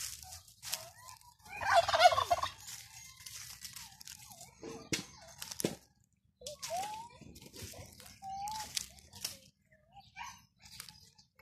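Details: Raised domestic turkeys let out one strong rolling gobble, then scattered short upslurred yelps and clucks over the next several seconds, with faint handling noise.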